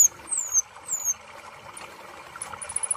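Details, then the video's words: Kolibri ninja sunbird, played as therapy to encourage a bird reluctant to sing: very high, thin whistled notes sliding downward in quick pairs, then a pause and a rapid, shrill high trill near the end over steady background hiss. "Terapi Kolibri ninja Malas Bunyi"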